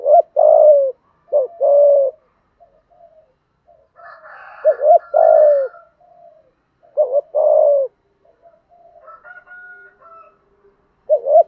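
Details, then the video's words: Spotted dove giving thúc gù cooing, giọng thổ voice, said to lure birds quickly to the decoy: four phrases of short doubled note plus long falling coo, faint chatter of other birds and a thin distant whistle between. "cu gáy thúc gù giọng thổ cực đỉnh giọng hạp bổi và nhanh về cội"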